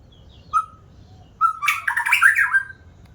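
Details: White-rumped shama with two soft, short whistles followed by a loud, harsh, chattering burst that mixes rough and whistled tones.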